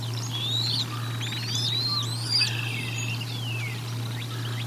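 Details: Bald eagles feeding at the Decorah North nest on 04 01 2022, recorded by nest camera: a run of high, thin, curving whistles and slurred chirps, some sweeping downward, over a steady low electrical hum.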